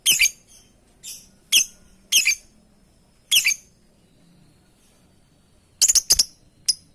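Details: Lovebird calling out to companions with sharp, high, grating squawks, some single and some in quick doubled or tripled bursts, irregularly spaced, in a quiet indoor setting.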